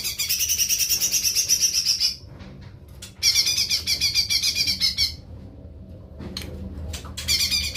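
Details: Cucak ijo mini, a small leafbird, singing: bright, rapid high warbled phrases repeated about four times a second, bursts of about two seconds separated by pauses, with faint clicks and a low background hum.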